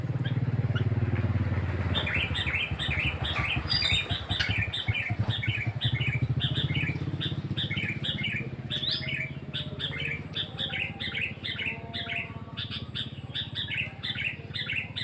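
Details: Sooty-headed bulbul chirps repeated steadily, roughly two or three notes a second for about fifteen seconds, while a motorcycle roars at the start and a low engine rumble continues throughout.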